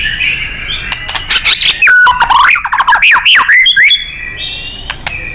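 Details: White-rumped shama song for contest-bird training: soft wavering tones, then a burst of loud zigzagging whistled warbles and chatter lasting about two seconds, fading into quiet sustained notes.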